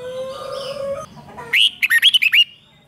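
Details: Red-whiskered bulbul delivering a rik song to excite caged birds: a soft, low, drawn-out whistle is followed by one sharp burst of about six quick, bright, bouncing notes lasting under a second.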